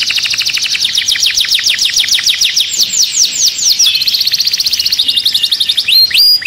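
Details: Caged canary in an agitated state delivers a fast, continuous trill of steeply falling high notes, shifts into slower sweeping slurs, then ends with a few clear rising whistles.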